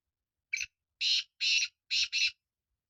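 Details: Kala teetar, the black francolin, calling: a sharp short note, then four harsh grating notes spaced at roughly half-second intervals, the last two close together. Silence before and after.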